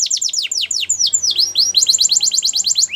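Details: Russian canary singing flute-style: quick high falling whistled slurs, a few slower swooping notes, then a brisk, regular run of repeated V-shaped whistles.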